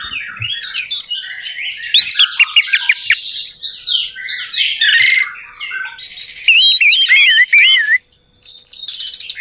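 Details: Lure recording of an Orange-headed thrush meant to prompt a non-singing bird: a rapid jumble of squeaky chirps, buzzy trills and looping whistled notes, continuous and loud.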